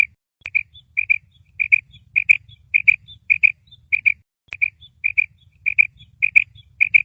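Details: A female Uzbek quail gives sharp, high, paired notes, 'quip-quip', repeated in quick bursts about every half second, with a faint low rumble behind.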